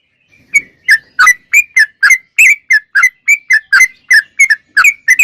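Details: Sooty-headed bulbul in full song, delivering a steady run of about seventeen short, clear, slightly slurred chirps at roughly three per second, some doubled, with no other noticeable sounds.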